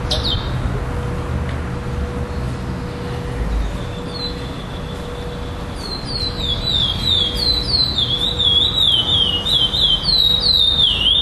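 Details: Chestnut-bellied seed finch (curió) at a December 2011 singing tournament in Florianópolis, Brazil, singing 'preto clássico' without repetition. After a quiet start with a lone thin whistle, a run of bright swooping whistled notes builds steadily over the final five seconds.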